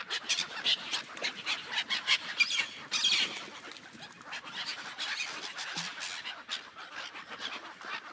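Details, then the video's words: Flock of gulls on a frozen lake giving a steady din of overlapping squawking cries, louder bursts in the first three seconds, then a softer, busy background chatter. "Seagulls sounds on ice lake"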